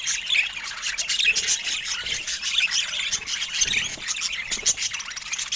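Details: Budgerigars chattering: a dense, continuous wash of overlapping high chirps, squawks and warbles from several birds, steady throughout with no pauses.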